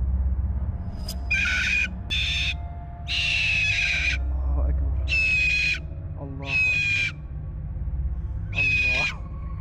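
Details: A cockatoo seemingly imitates a person being tortured. It gives five harsh, screaming bursts about every two seconds, some ending in wavering human-like wails, over a steady low rumble.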